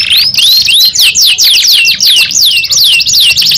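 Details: Canary song of repeated high, down-slurred whistles, about three per second, each sweeping downward, steady and loud throughout.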